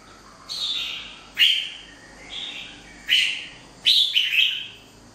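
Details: Red-whiskered bulbul, a wild-caught 'bổi' bird, giving five short, bright warbled phrases spaced about a second apart. Each phrase is a quick, slurred, chirpy burst. The background is quiet.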